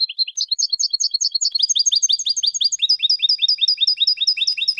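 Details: European goldfinch song for contest training: unbroken, lively stream of high chirped and twittering notes, growing denser and layered halfway through, with fast regular repeated elements.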